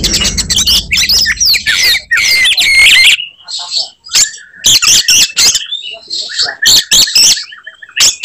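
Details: Oriental magpie-robin fighting song meant to provoke other birds: dense harsh chattering phrases at first with low background noise, then sparser clicks, whistled notes and short repeated trills.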